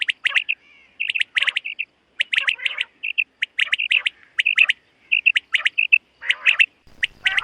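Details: In a summer meadow at dawn, a common quail gives a steady stream of sharp high chirps and click pairs with occasional raspy, nasal notes, in clusters close together, ending with a low rustle.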